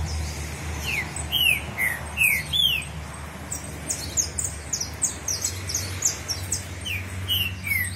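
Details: Green-winged saltator exchanging song with another saltator five years old: clear downward-slurred whistled notes in short runs, answered by thinner high chirps, over a faint low hum.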